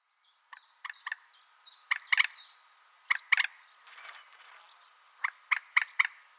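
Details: Common moorhen giving bursts of harsh, stuttering, clucking notes in quick groups of two or three, spaced irregularly, with faint descending whistles from another bird behind.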